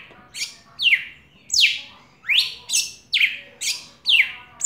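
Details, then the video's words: Live recording of a red-cowled cardinal calling for a female, singing steadily: bright downslurred and upswept whistles, seven or eight phrases in under five seconds. "Galo da campina cantando muito chamando femia gravado ao vivo"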